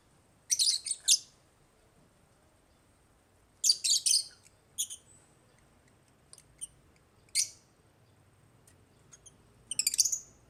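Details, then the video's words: Shrill, rapid chirping from pet African lovebirds in an aviary, coming in clustered bursts separated by quieter gaps and a few isolated sharp notes. "AFRICAN LOVEBIRDS CHIRPING SOUNDS"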